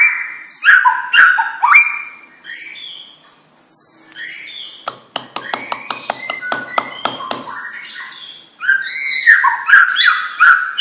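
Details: White-rumped shama from a champion bloodline singing a varied medley of clear whistled phrases and sweeping notes, broken midway by a burst of rapid dry clicking notes before the rich whistles return.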